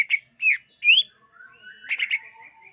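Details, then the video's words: Greater green leafbird song for attracting wild birds: three separate slurred, rising whistled notes followed by a fast stuttering trill of bright chirps, over a thin continuous tone. "SUARA BURUNG CUCAK IJO UNTUK PEMIKAT DIJAMIN TERPIKAT"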